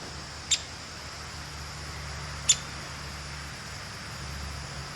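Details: Female downy woodpecker, talkative and fearless, giving sharp, high single pik notes, two calls about two seconds apart over a steady high hiss and low hum.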